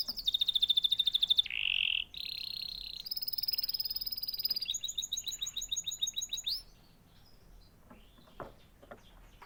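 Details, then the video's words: Canary song in a long sequence of tours: a fast whistled trill, a coarse rattle, steady high trills and a rolling repeated phrase, ending in faint scattered notes. "natural canary chirping sound"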